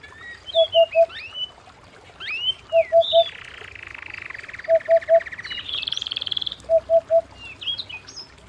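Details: Canary singing at home: high swooping chirps, then a long rolling trill lasting about three seconds. A low triple beep recurs every two seconds.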